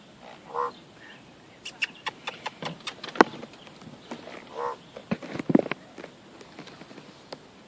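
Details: Common raven making odd, varied sounds near people photographing it, who wonder if it is hungry: two short nasal croaks several seconds apart, with dry clicks, knocks and pops scattered between them.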